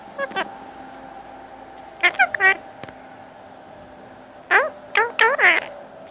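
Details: Male Indian ringneck parakeet kept as a pet, chattering for attention during cuddle time: two clusters of short bending harmonic notes, one near the start and one near the end, with quiet room noise between.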